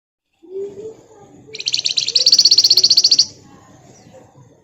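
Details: Flamboyan singing in the dense, rapid ngebren and nyerecet style: soft low chirps, then a loud high buzzy trill of about twenty fast, evenly spaced pulses lasting under two seconds, fading into quiet background hum.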